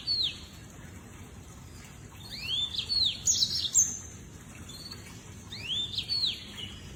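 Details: Lemon-breasted seedeater from dry savannah and rural gardens, producing high looping whistles and sharp chirps in two bursts a few seconds apart, with a fainter trailing phrase and steady low hiss behind.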